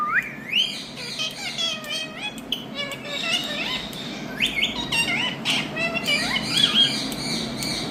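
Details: Pet green Indian ringneck parakeet vocalizing steadily: a busy stream of chattering squawks, upward-sliding whistles and rasping harmonic notes, barely pausing, over low steady background hum.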